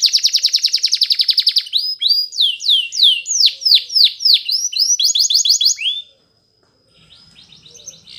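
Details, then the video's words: Belgian canary song for training young canaries: a long fast pulsed trill, then swooping downward slurs and a quick rattle, a brief pause, and quieter trilling at the end. "Belgian Canary Training for Early Childhood Canaries so that they sing diligently"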